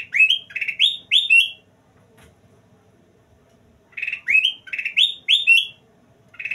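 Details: Golden kutilang (bulbul) singing energetically: bursts of four to five bright, rising whistled notes in quick succession. A burst comes roughly every four seconds, separated by near silence.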